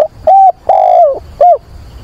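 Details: Rain and wind on 24 September as a decoy dove coos for a mate to stimulate wild doves: a brief note, a level coo, a long drawn-out falling coo, then a final arched note, loud and close.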